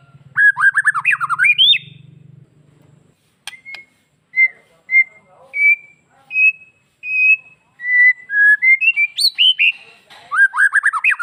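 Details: White-rumped shama master song, used to spur males and young birds into breeding condition and aggression: a quick warbled burst over a low hum, then single clear whistles spaced about a second apart, ending in fast varied phrases.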